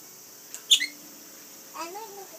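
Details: A rainbow lorikeet in the afternoon gives one sharp, shrill screech, followed a second later by a softer, wavering chatter with a voice-like quality.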